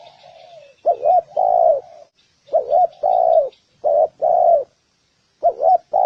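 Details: Spotted dove coo used to incite males and females to call and fight. A soft fading note opens, then four pairs of low mellow notes, each a short wobbling note followed by a sustained coo, with a pause near the end.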